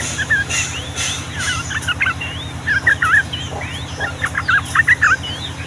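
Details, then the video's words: Yellow-vented bulbul in lively, long rapid 'ropel' song of the Ngombak Banyu style: scattered bubbly, chattering notes with quick upward whistles from other birds above and a steady low hum beneath. "SUARA BURUNG TRUCUKAN GACOR ROPEL PANJANG"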